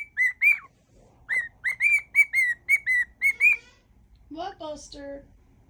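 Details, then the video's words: Pet cockatiel whistling a tune from its song mash-up; a quick series of evenly spaced clear whistles, each rising then falling, followed by a man speaking in praise. "Wednesday mash up | whistling cockatiel"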